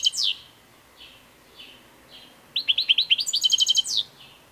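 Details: Goldfinch singing high, liquid twitters: scattered short sharp notes lead into a fast, buzzy-bright run of repeated chirps about a dozen long, then trailing off into softer notes.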